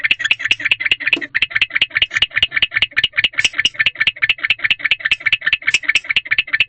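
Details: Male barn owl chirping inside a nest box around 4:00 am on 20 February 2023, while the female remains in another box after mating. Rattling series of short scratchy pulses, fast and continuous, over a soft low hum.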